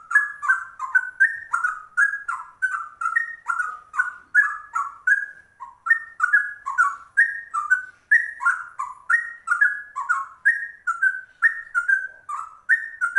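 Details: Extended trucuk song of a straw-headed bulbul in rapid ropel style: over thirteen seconds of nonstop bubbling, whistled phrases rising and falling, varied yet steady in pace, no other noise.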